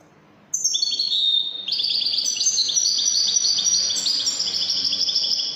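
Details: Wedani-style Moroccan goldfinch song begins after a silent moment with a whistled twitter, then breaks into a steady flow of quick, bright, high-pitched trills and chirps.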